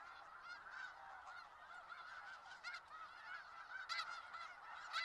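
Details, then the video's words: Snow geese massed in Skagit Valley giving a constant chorus of honking, with louder, harsher yelping honks breaking out near the end over the background din. "Sounds of Snow Geese"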